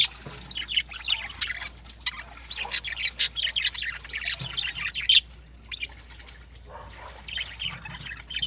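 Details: Lovebirds calling in the morning: a dense flock chorus of shrill, squeaky chirps and squawks, rapid and overlapping, with a short pause just after the middle before the chatter resumes.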